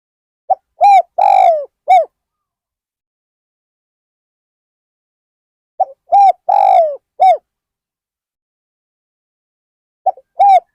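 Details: Spotted dove at Ban Nong Hin, used as a decoy to lure wild birds, gives two full low coo phrases about five seconds apart and the start of a third. Each phrase has a brief note, then rounded coos and one longer falling coo.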